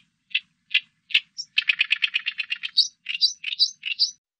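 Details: Oriental reed warbler, 2020 recording: three spaced harsh notes, a fast rattling churr of about a dozen syllables, then alternating low grating and high squeaky notes in quick succession.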